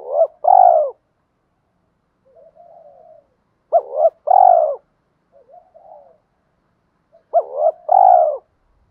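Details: Decoy spotted doves, cocks and hens, giving the fight-provoking coo: three strong phrases, each a sharp double note and a full, throaty coo, roughly every three and a half seconds, with quiet warbling murmurs between them.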